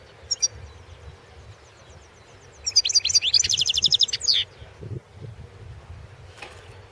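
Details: Competition recording from the 2016 World Championship in Goldfinch Song: a European goldfinch gives a couple of isolated high notes, then a quick, liquid, twittering burst lasting nearly two seconds, with low hum underneath.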